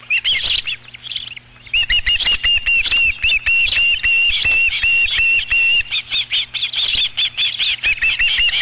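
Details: Osprey at the Dunrovin Ranch nest on 13 July 2016, fifth fish of the day delivered. A rough opening gives way to a rapid train of piercing whistled chirps, then looser, irregular calls.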